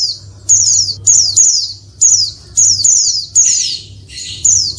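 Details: Calling female Oriental white-eye, used to prompt males to answer and sing: repeated high downward-slurred notes, singly or in close doubles, separated by short pauses, with faint background hum.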